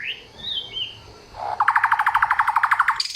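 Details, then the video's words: Samyong giving a loud, clear song: soft scattered notes at first, then a fast buzzy trill of about twenty even, rapidly repeated notes lasting over a second, ending in a high upslurred note. "Inilah real samyong 1001 suara... Suara kencang, jernih, materi 1 hutan"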